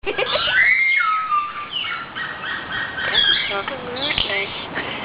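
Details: Captive common hill myna, a talking bird that says "Das ist ja gemütlich" and "Hallo Süße" and can whistle and imitate a pigeon and a guitar. Speech-like harmonic phrases mix with sliding whistled tones over steady background noise.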